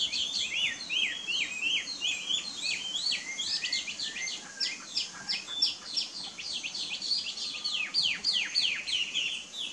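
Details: Taiwan hwamei in fast continuous song, sharp whistled notes with steep up-and-down sweeps, about three notes per second, in varied repeated phrases with little background noise.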